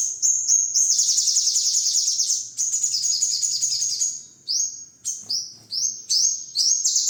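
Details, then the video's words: Sogon bird master song for training songbirds: extended high chattering trills for about four seconds, followed by a series of separate, sharp, upward-sweeping phrases at roughly half-second intervals. "masteran #burung sogon"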